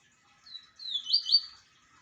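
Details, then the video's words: Double-collared seedeater singing: a short high phrase of slurred whistled notes, a thin introductory note, then two louder rising-falling sweeps close together, clean and without other sounds. "PAPA CAPIM DE QUALIDADE | LINDO CANTO DO PAPA CAPIM"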